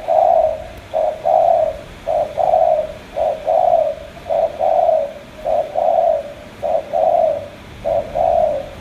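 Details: Rhythmic cooing of a spotted dove, Cà Mau, Vietnam: short hooting note pairs repeated about once a second, very even and clear.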